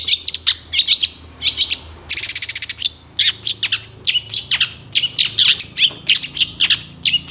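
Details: Long-tailed shrike full-filler master recording for songbird training: busy mix of high sharp downslurred whistles, chattering phrases and a burst of rapid trilled notes, in dense continuous delivery over a faint low hum.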